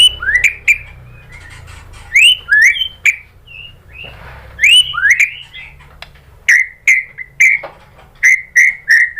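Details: Murai batu lure song, shared by Indonesian bird keepers to provoke shamas into singing: bright, ringing whistles, some sharply upswept, in spaced groups of two or three, with a few clicks between phrases.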